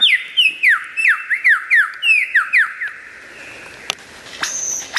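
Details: Lyrebird heard loud and clear, giving a run of ringing whistles that each drop steeply in pitch, about three a second, followed by a pause and a high sustained note.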